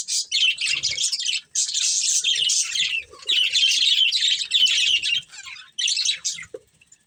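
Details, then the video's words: Breeding pair of budgerigars warbling in long unbroken stretches of scratchy high chatter, separated by short silences. "Cute Budgies Chirping Sounds"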